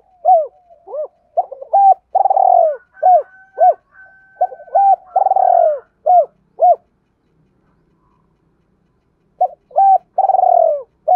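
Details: Spotted dove cooing as a lure call to attract wild doves. Low, hoarse coo phrases come in bursts of short clipped notes and longer rolling coos, repeated in groups, with a pause of about three seconds before cooing resumes. No other sounds.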